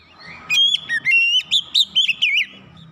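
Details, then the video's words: Kacer, or Oriental magpie-robin, giving 'nembak rapat' master song: one fast run of about eight loud, wavy whistled notes over a faint low hum. "masteran Kacer nembak rapat"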